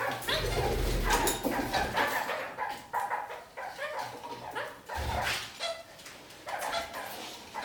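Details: Kakariki birds clambering upside down across a ceiling, singing a lot: a run of short nasal, yipping notes with stacked harmonics, loud bursts broken by brief pauses, several notes a second, with some low thumps and knocks.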